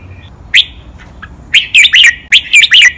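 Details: Caged red-whiskered bulbul, recorded as a training song with doubled, counted 'mae bot' and 'lak wai' phrases: one loud whistle, then two quick back-to-back phrases of ringing, slurred notes.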